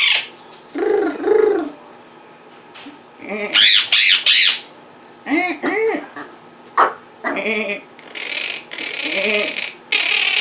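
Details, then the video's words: Captive Quaker parrots (monk parakeets) at home, vocal while their owner works at a computer, give harsh squawks, harmonic speech-like mimicry and short chattering bursts in an indoor room. "Quaker Parrots Being Very Vocal and Mimicking"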